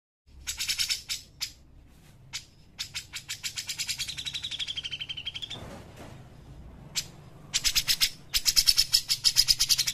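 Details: Grey-cheeked bulbul in lively full song, used as a lure and master recording for training other birds: bursts of rapid, sharp repeated notes, then a fast trill that slides downward, and later dense chattering bursts.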